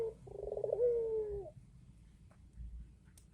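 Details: Tame Barbary dove in full voice. One low coo opens with a short note, breaks into a rapid rolling trill, then draws out into a smooth, gradually falling tone lasting about half a second, followed by quiet background.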